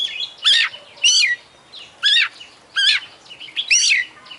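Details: Champion Oriental magpie-robin singing full isian: loud, sharp, rich phrases repeated roughly every 0.7 seconds, each a strident zigzag note, with quieter whistles between them.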